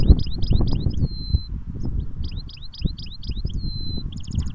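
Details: Caged goldfinch hybrid (mule) singing cage to cage: rapid high twittering phrases of short sliding notes, broken by a long steady whistled tone, then fast clipped trills at the end, over a low rumbling background.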